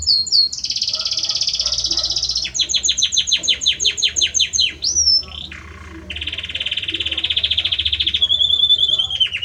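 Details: Male Belgian canary singing hard for his female, shifting between long buzzy rolled trills, a series of fast descending whistled notes, a short upward-bent whistle, and a sustained lower rolling tour near the end.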